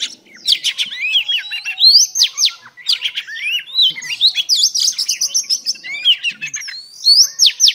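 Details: Female oriental magpie-robin song to stimulate males: busy, high-pitched warbling of sliding whistles, sharp downward strokes and clipped chips, delivered almost without break.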